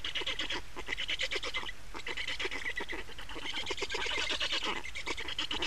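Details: At the nest of Estonian black storks on 28 May 2019, changeover and feeding: grating, stuttering calls in bursts, briefly fading near the two-second mark, over a low background rumble.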